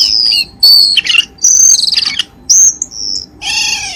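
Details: Lure recording of a cucak keling, used to coax kept birds into calling: a varied run of bright whistles, buzzy trills and sliding notes, ending in a harsh, rasping squawk.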